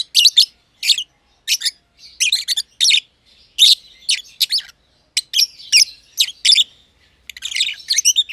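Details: A pair of masked lovebirds, green and green pied personata, sharing an aviary, one less than a year old. Shrill, grating chirps fire in irregular runs, with brief quiet gaps and a dense chattering flurry near the end.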